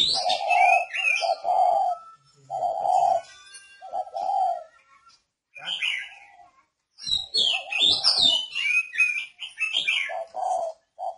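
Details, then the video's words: Decoy spotted dove from northern Vietnam delivering four steady, low, hollow coos at the start, then later coos among bursts of high, chattering chirps from other birds and some human speech. "chim cu Mồi Cành miền bắc"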